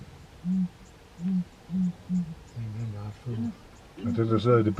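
Ground hornbill giving four deep, hollow booms about half a second apart, then lower, throatier notes and a louder burst that may include a voice at the end.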